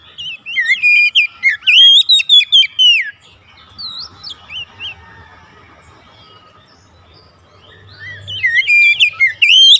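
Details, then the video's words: Home-kept Oriental magpie-robin singing actively in gacor style during daily therapy: loud whistled phrases sweeping between high and mid pitch in quick bursts, a quiet gap in the middle, then another rapid whistled burst near the end. "terapi harian Kacer rumahan rajin bunyi gacor"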